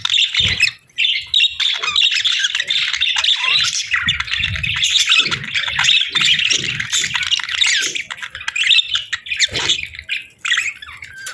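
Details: Budgerigar pair during breeding season, bonding; a dense, continuous chatter of rapid warbled chirps and scratchy notes with faint low thumps beneath.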